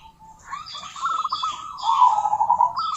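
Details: Soft, wavering coos rising from quiet into a fuller trilled run, from a female local zebra dove calling a rival. Other birds add high, falling chirps. A low murmur of background noise persists.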